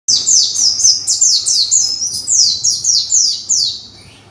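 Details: Captive conservation white-eye, a young bird learning its song and arranging its phrases: a rapid series of high, thin descending notes, about four per second, continuing for over four seconds with slight fading toward the end.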